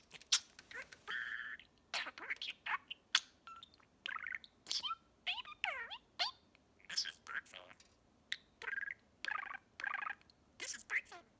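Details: Pet male budgie talking up a storm indoors in the evening, repeating learned phrases: a dense stream of chirpy, warbled syllables with squeaky rising and falling sweeps and short gaps between bursts.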